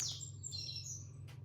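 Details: A short burst of song from an opaline-mutation Caratinga green-winged saltator singing while perched on a finger: high, clear whistled notes that rise and fall over a steady low hum.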